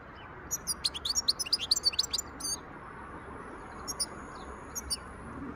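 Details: European goldfinch in the wild, 2023: a fast, lively twittering run of many high chirps packed closely together, then a thin sustained whistle and scattered single tweets over a faint hiss.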